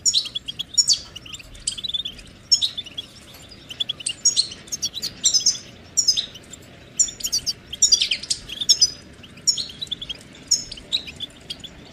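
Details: A goldfinch sings a long run of bright, tinkling twitters and sharp chirps in clusters about every half second, some notes buzzy and sliding downward, over a quiet background.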